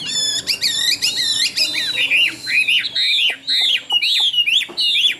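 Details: Chinese hwamei, caged and kept for sale in Vietnam as a good singer. It opens with buzzy layered notes, then gives a run of loud slurred whistles, each rising then dropping, repeated roughly twice a second.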